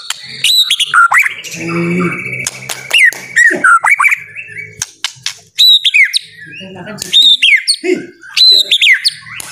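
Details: Lure recording of white-rumped shama song to make silent birds sing: sharp, high, downslurred whistles and chattering notes in bursts, mixed with clicks and rustling noise between phrases.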